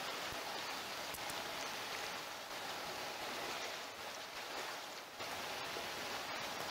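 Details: Steady hiss like rain or running water, with scattered sharp ticks and no animal voices.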